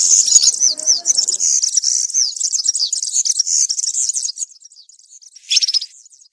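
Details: European serin performing country-style song for schooling young birds: a rapid, shrill, tinkling stream of high buzzy notes lasting about four seconds, followed by a quiet pause and one short, sharp burst.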